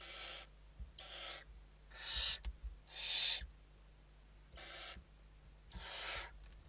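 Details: Western barn owls inside a nest in Spain during evening feeding, 29 November 2023: harsh, rasping hiss-like bursts about half a second long, repeated roughly once a second with uneven gaps, and faint low hum beneath.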